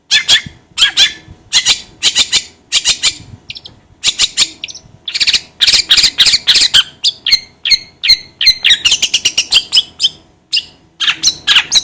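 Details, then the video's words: Long-tailed shrike song meant to stimulate another bird to sing: clusters of harsh, grating notes give way to a lively series of short, slurred whistles and chirps delivered in quick succession. "PANCINGAN CENDET AGAR CEPAT gacor"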